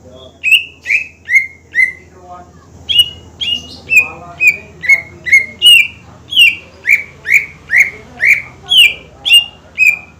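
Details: Greater green leafbird singing persistently to provoke rivals into song; long run of loud whistled notes, about two per second, each dipping downward, with brief chatter near the start and a steady low hum.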